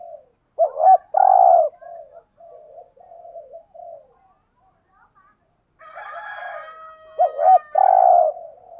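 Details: Spotted dove lure for attracting wild doves: a loud doubled note and drawn-out coo, soft low murmuring, then a harsher overlapping burst with higher tones before a second loud coo phrase.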